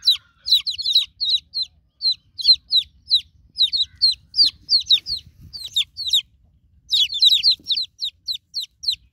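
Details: Newborn domestic chicks call for a broody mother hen. Piercing downward-slurred peeps come in quick bursts with a short pause midway, then resume in a dense cluster, over faint low background rumble.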